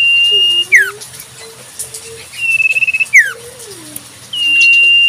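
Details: Common Iora singing in the wild: a level whistle sliding down at the end, a tremulous fluttering whistle and another falling slur. A lower, gently wavering whistle from a second bird runs underneath.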